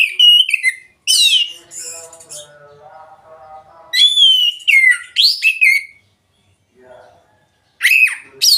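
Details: Oriental magpie-robin song used as a prompt for a young bird that is reluctant to sing: loud, clear whistled phrases sliding up and down, sharp high notes in bursts, with softer lower warbled notes between.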